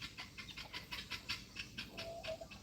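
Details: Helmeted guineafowl on a farm among cows and oak and pine trees give harsh, rapidly repeated grating calls, several birds chattering together in quick bursts.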